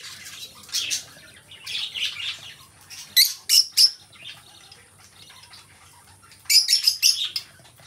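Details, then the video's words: Shrill, rasping chirps from a pair of captive lovebirds come in uneven bursts, including a fast string of four or five sharp notes near the end, against a quiet indoor background. "2 Hours of Lovebird Sounds: Birds Singing You to Sleep"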